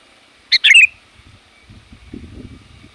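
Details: A single sooty-headed bulbul phrase of the kind used to call wild bulbuls: one sharp note, then a quick descending warble, followed by soft low rustling and knocking sounds.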